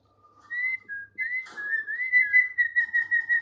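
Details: A tame thick-billed white-eye (Heleia crassirostris) sings a steady run of clear, whistled notes that slur up and down in a fluid, continuous warble, in otherwise quiet surroundings.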